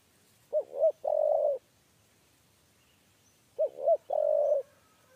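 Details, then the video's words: Spotted dove of the three-note 'kuk 3' coo type, being lured toward a trap cage: two coo phrases about three seconds apart, each two short rounded hoots then a longer, slightly buzzy held note, with a faint high hiss behind. "TEKUKUR KUK 3"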